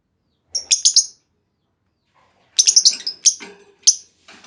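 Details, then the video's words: Female lovebird luring call to set off long trilling in other lovebirds, heard as two bursts of rapid shrill chirping separated by a silent pause, the second burst longer and slightly rattling. "Pancingan Burung Lovebird Betina! Bakal Langsung Respon Lovebird Segala Kondisi Auto Ngekek Panjang"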